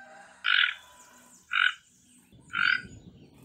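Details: Toco toucan producing three grating, buzzy croaks about a second apart, each short and harsh, with soft rumbling noise in the background.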